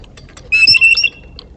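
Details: In the early morning, a blue jay (Cyanocitta cristata) visiting sunflower seeds alongside a black squirrel gives one loud, clear, ringing call of about half a second at a steady high pitch over faint hiss.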